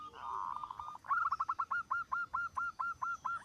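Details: A zebra dove singing vigorously, known for setting other zebra doves off: a brief blurred coo, then an even, accelerating string of about fourteen sharp, clipped, rising-and-falling cooing notes.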